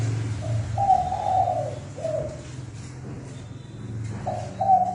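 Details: Spotted dove decoy call used for trapping: hoarse, mid-pitched cooing phrases, a short note then a longer rolling coo, repeated twice, over a steady low hum and background noise.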